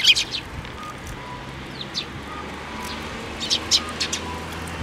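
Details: Juvenile Eurasian tree sparrows flying to a plum tree for feeding at a Tenmangu shrine, Japan, on 25 May 2024; sharp, high chirps at the start and near the end, with a faint low background hum.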